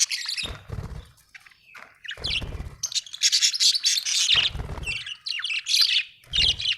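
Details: Budgerigar, said to be happy, chirping in dense, chattering bursts of high squeaks and warbles, interrupted by several brief low thumps.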